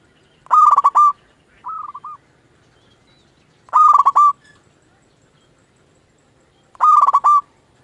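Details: Local zebra dove used to lure and provoke other doves into answering, repeating a loud, fast-pulsed trilling coo roughly every three seconds, three times, with one quieter, shorter trill after the first.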